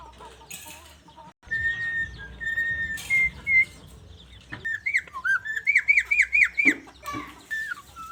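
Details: Starling that talks, whistles and imitates sounds: steady whistled tones, then a rapid string of bouncing looped whistles and scattered chattering clicks.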